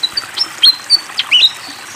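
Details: Fantail singing briefly near flowing water: a few high, thin whistles, some level and some falling, mixed with short chirps over a soft background hiss of water.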